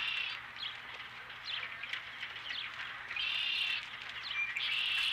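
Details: Osprey calling at the nest with a fish, Dunrovin Ranch, 12 April 2017 near 5:51 PM: sharp, high chirps repeated rapidly, building into two long shrill whistled bursts toward the end, against a faint background hum.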